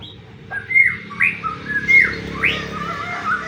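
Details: Lure song of a white-rumped shama meant to make other shamas sing: clear, loud, upslurred whistles alternate with softer warbled notes, roughly one phrase per second, with low background hum.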